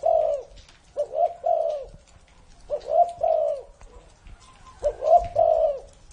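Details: Spotted dove said to be over 30 years old, cooing three phrases in about six seconds, each a quick short note or two followed by a longer, low, mellow rolling coo.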